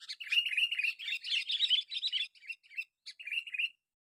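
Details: Lure call of a sooty-headed bulbul, used to bring in wild bulbuls: a dense, nearly continuous stream of loud chattering chirps with warbled notes, breaking into shorter separate bursts toward the end.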